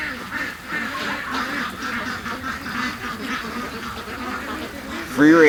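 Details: Sunday morning rush of free-range ducks: a steady murmur of many quacking birds, ending in a sudden loud, harsh call close by.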